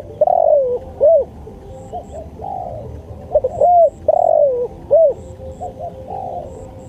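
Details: Spotted dove song kept as a master recording for training birds: repeated phrases of low, mellow coos with rising-falling arched notes and a longer drawn-out coo, given in quick succession over faint background hiss and high clicks.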